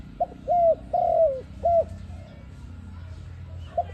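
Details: Trap-lure coo of an ARIMIX dove: a clipped note, then two longer level-to-falling coos and another short one, the last note starting again near the end, with quiet background murmur.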